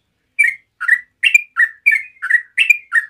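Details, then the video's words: Yellow-vented bulbul singing relaxed 'ropel' to coax other bulbuls into answering: eight clear bubbly chirps at an even pace, roughly three per second, alternating a higher rolling note and a lower one. "TRUCUK NGEROPEL SANTAI BUAT PANCINGAN TRUCUKAN LAIN LANGSUNG NYAUT"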